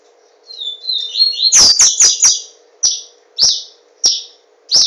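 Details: Caged papa-capim seedeater, Pernambuco, Brazil, singing a rising buzzy phrase that climbs into loud high notes, followed by four evenly spaced single chirps; constant faint hum behind.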